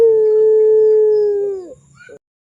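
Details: Barbary dove of the pelung type, a lure recording for young birds: a single sustained low hoot lasting under two seconds, steady and then falling away at the end, followed by a brief faint note.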